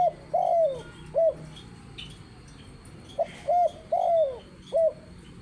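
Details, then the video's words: Spotted dove giving soft, low coos in short phrases, each a brief note then a drawn-out descending one, repeated over a quiet background. "Burung Tekukur Gacor Istimewa"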